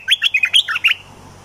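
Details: Olive-winged bulbul in a cage, used as a trapping decoy, gives a rapid chattering burst of six or seven liquid, warbling notes in under a second, then falls silent.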